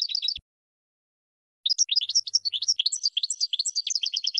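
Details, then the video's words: Goldfinch song: a brief burst of high twittering notes, a pause, then a long run of rapid liquid chirps and tinkling trills, busy and varied, with no other sounds. "Brilliant GOLDFINCH Song"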